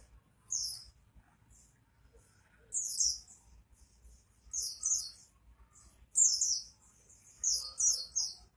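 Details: Spirited 'gacor' singing of an Oriental white-eye: separated bursts of very high, buzzy twittering, each about half a second long and spaced by quieter pauses, over a faint steady hum.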